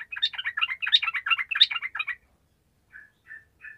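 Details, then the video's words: Sooty-headed bulbul in vigorous 'gacor' singing, used to prompt lazy bulbuls to sing: a fast, bubbly run of chattering, warbled notes for about two seconds, then a pause and three short, clear whistled notes. "SUARA TRUCUKAN GACOR"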